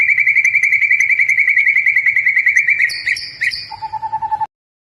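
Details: Continuously singing white-rumped shama, used to make other birds sing: a long rapid rattling trill, then a few high whistled notes and a short lower trill before silence.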